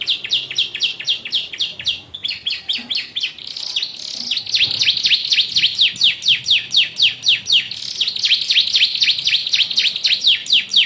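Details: High, rapid downward-slurred chirps from a yellow Bon canary singing with a Ciblek voice. The notes are repeated about four times per second in long, rhythmic runs, with a brief pause near the middle.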